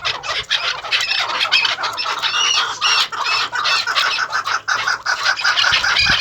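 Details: Farm-kept maskati chakor, first and second cross breeding pairs, calling in a dense chorus: rapid hoarse clucking notes repeated about twice a second, overlapping voices rising and falling, with a steady low background hum.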